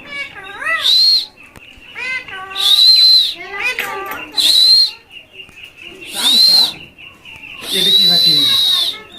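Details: A pet rose-ringed parakeet chatters in high, nasal, speech-like syllables that bend up and down, broken by harsh hissing screeches about every two seconds; the bird talks.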